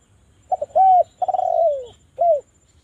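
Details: Javan spotted dove giving a sharp, melodious lure call meant to make other doves call. Stuttered short notes lead into a smooth arched coo, then a rolling trilled note sliding downward, and a final short arched coo. A low rhythmic hum runs underneath.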